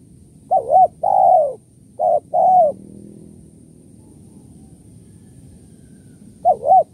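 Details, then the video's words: Spotted dove kuk 1-2 call for luring doves: two phrases of paired short coos and a longer falling coo, then a long quiet pause before a third phrase begins. "suara tekukur kuk 1-2 // pikat tekukur"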